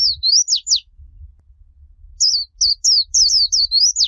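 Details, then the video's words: Japanese white-eye song in the líu choè style, played to train young birds to sing. A quick burst of high, clear whistled slurs sweeps up and down, then a pause, then a longer run of rapid rising and falling notes, with a faint low rumble underneath. "Ép Giọng Khuyên Líu Choè"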